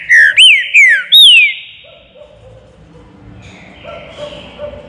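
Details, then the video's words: Green-winged saltator, caged in a flight cage, opens with four strong whistled notes in baruc style, each arching up and sliding down, then falls silent against soft background murmur. "TRINCA FERRO BARUC NO VOADOR"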